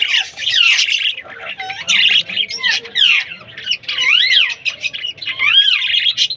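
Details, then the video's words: A bird indoors giving loud, harsh squawks and looping whistled notes that swoop up and down, in bursts with short gaps. "My alarm clock bird chirping sound"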